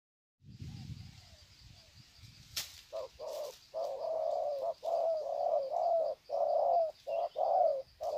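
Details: Wild spotted doves at Sê San on 21 February 2020 greeting each other with long cooing bouts: after a low rumble and a sharp click, mid-pitched hollow coos follow in quick, uneven groups of short and drawn-out notes, with steady faint insect hiss.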